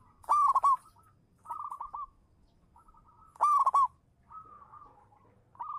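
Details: Song of a local zebra dove (perkutut) kept as a champion lure bird: two loud, rolling, trilled coo bursts about three seconds apart, separated by short, soft, stuttering coo phrases.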